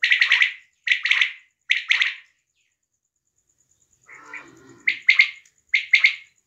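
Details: Female quail in Pakistan, recorded during hunting: repeated bright clusters of two or three rapid notes, about one cluster per second, broken by a pause and a lower, scratchier sound before the notes resume.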